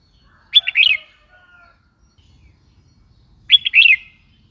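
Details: Red-whiskered bulbul giving two matching quick chirpy phrases three seconds apart, each several slurred, bouncing notes; quiet surroundings with slight low noise.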